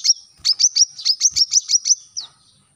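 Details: Short brown-throated sunbird phrase for training captive birds: about ten high, sharp notes in quick succession, ending with a slightly lower downslurred note.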